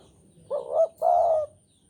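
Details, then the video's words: Eager Javanese spotted dove in breeding mood gives a single low coo phrase, a quick quavering note and then a long level hoot, with only faint background hiss. "Derkuku Jawa Gacor Birahi Keras"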